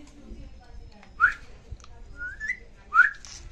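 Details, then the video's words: Pet Indian ringneck parakeet among birds talking in Hindi: three short, clear rising whistles, roughly a second apart, in a quiet room. "Adorably Talking Ringneck Parrot With Each Other In Hindi"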